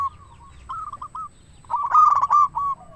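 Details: Lively local zebra dove song, played to lure doves and stir them to sing: a few quiet trilled coos, then a pause, then a loud, rapid, bubbling cooing burst closing with a drawn-out note.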